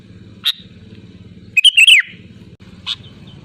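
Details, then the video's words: Sooty-headed bulbul calling loudly to rivals, used as a lure: a single sharp chirp, then a rich bubbling phrase that slides downward, and another lone chirp, above a soft low hum. "SUARA ASLI BURUNG KUTILANG GACOR LANTANG MEMANGGIL LAWAN"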